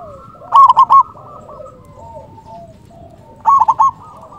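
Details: Loud local zebra dove cooing to lure and excite other doves. Two emphatic bursts of quick, clipped coos, about three seconds apart, stand out over faint background cooing and low rumble.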